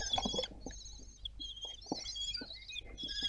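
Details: Common kestrels of the Théding family, France, on 26 June 2022 during fledging: bright harmonic squealing calls in quick overlapping bursts, some steady and some rising slightly, with faint knocks and rustling beneath.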